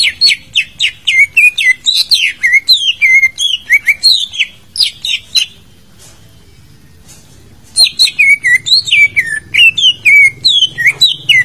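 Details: Greater green leafbird song used to prompt a silent bird to sing: a fast, varied stream of whistled slurs and chattering notes, many sweeping down, pausing briefly midway, over a low background hum.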